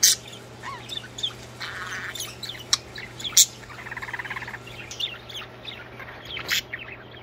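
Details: Budgerigars singing: scratchy chatter with clicks and a few sharp squeaks, including stretches of buzzy rattling warble, over a low continuous hum.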